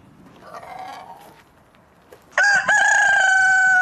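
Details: Faint, muffled crowing from far away is followed by a sudden loud, close rooster crow: a short stutter, then a long, level, bright note held to the end.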